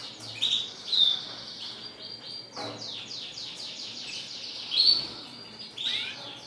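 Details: Red siskin singing more softly: a continuous high, wheezy twitter of quick repeated notes, with a few brighter whistled accents standing out.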